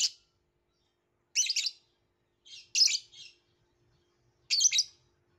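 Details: Shrill, scratchy chirps from a violet lovebird, delivered in four clustered bursts about a second apart against silence.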